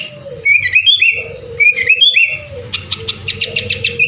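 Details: Sooty-headed bulbul singing energetically, meant to spur other birds into song: clear whistled notes and quick slurred phrases, then a burst of fast, high chirps near the end, with a constant low hum beneath.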